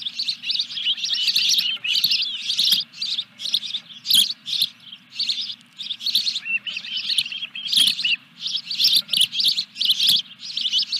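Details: During a fish delivery at the Dunrovin Ranch osprey nest on 14 July 2021, rapid, unbroken high chirping runs throughout, several notes each second, over a low continuous hum.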